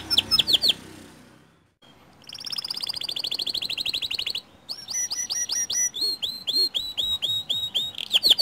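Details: Lure song of a white canary, used to spur other canaries into song. Short opening notes are followed by a pause, then a long fast rolling trill and sharp repeated downward-sweeping whistles.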